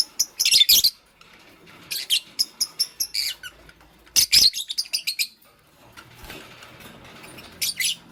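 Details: Green Fischer's lovebird with a pastel companion, chirping as it builds a nest in the morning; sharp high chirps come in quick runs of five or six, then pause before another burst.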